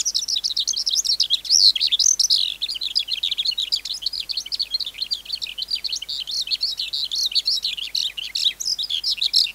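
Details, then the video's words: Wild-caught skylark in full song, a long tumbling run of high, quick, varied chirps with a few sharp clear whistled notes mixed in, continuous from start to end. "Sơn Ca Bổi Hót Giọng Cực Hay"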